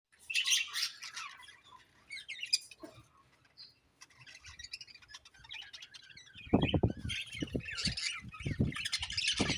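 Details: Budgerigars chirping: bursts of rapid, scratchy warbling chatter at the start, a pause with scattered soft notes, then louder busy chirping over repeated low thumping knocks near the end.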